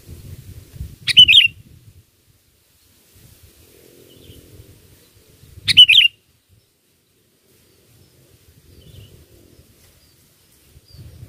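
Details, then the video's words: A Sooty-headed Bulbul gives two brief, bright chirping phrases about four seconds apart over a faint low background rumble. "Pikat Burung Kutilang ISTIMEWA"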